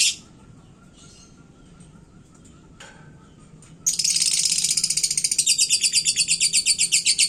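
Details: Caged lovebird in Indonesia, singing a hot, competitive song meant to provoke other birds. Silence is followed by a loud burst of harsh, rapidly repeated chattering trills, about four per second, continuing to the end.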